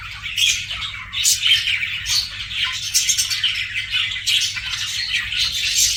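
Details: Budgerigars kept as pets give a steady stream of high, raspy chirps and warbled twitters, rising and falling in loudness, with sharp clicks scattered through.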